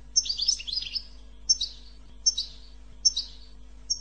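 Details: Goldfinch 'bitbita' singing meant to stimulate song. A rich burst of rapid twittering opens the clip, then single sharp chirps repeat about every three-quarters of a second, with a low steady hum.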